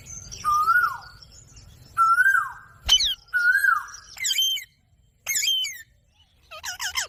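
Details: Rose-ringed parakeet producing clear rising-then-falling whistled notes spaced about two seconds apart, interrupted by sharp harsh squawks and a final quick chattering series.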